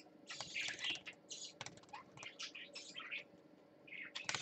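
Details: Busy high chatter from a parakeet on swings, live-streamed 20 December 2014: squeaky chirps and buzzy warbles mixed with fluttering wingbeats and faint tapping.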